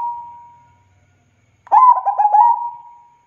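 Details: A local zebra dove sings actively. The drawn-out tail of one phrase fades, then after a pause a fresh phrase starts: a burst of bubbly, stuttering coos leading into a long, steady mellow note. A faint low hum sits beneath.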